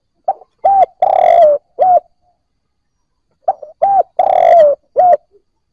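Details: Two close phrases of spotted dove cooing, a sound for coaxing newly caught birds to coo: soft note, clear coo, long rough trilled coo ending lower, then a final coo, in stillness.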